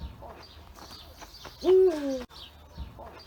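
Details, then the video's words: A Eurasian eagle-owl gives one deep, resonant hoot about half a second long, dropping slightly in pitch, with faint background noise and softer sounds before and after. "European Eagle OWL calls - hooting"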